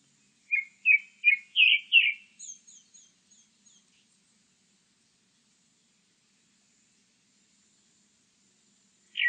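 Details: A grey-backed thrush, recorded with insect sounds in the background, sings a phrase of five loud, clear whistled notes, then a run of thin, high twittering notes fading away; a new phrase begins at the end.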